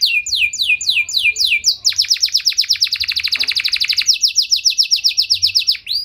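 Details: Canary singing to provoke other canaries: spaced swooping whistles give way to a very fast, dense high trill, then mid-speed repeated descending notes.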